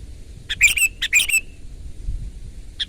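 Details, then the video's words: Sooty-headed bulbul singing loudly and energetically, two quick bubbly bursts of short warbled notes, the first ending in a brief level whistle, then a faint final note after a pause, over a low background rumble. "ISIAN BURUNG KUTILANG GACOR MEWAH !! SUARA KERAS"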